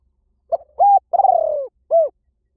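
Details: A single spotted dove cooing phrase, used to lure doves: short first note, steady coo, extended pulsed coo drifting downward, then a brief rounded note to finish; clean background.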